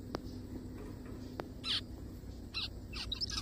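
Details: Zebra finch found crying in the forest, giving a few short nasal nasal-edged beeps spaced about a second apart, with faint clicks and a low background hum.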